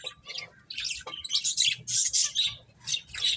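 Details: Finches playing, giving dense high chirps and squeaky twitters in overlapping bursts, several birds calling at once with short gaps between clusters.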